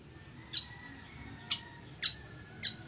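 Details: Chichiguago weaver for teaching birds to sing. Four short, harsh chip notes come at half-second to one-second gaps over a faint steady tone.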